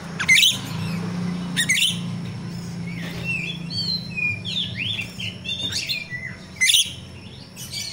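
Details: Myna known locally as jalak rio-rio, recorded in natural conditions and used as a training lure for captive birds. Sharp loud chirp bursts recur every second or so, with varied whistled slurs between them over a low steady hum.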